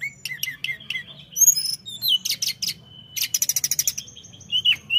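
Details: Tledekan song mixing short falling whistles, sudden bursts of fast buzzy trills and a level held whistle, with quick chirps toward the end over a low hum.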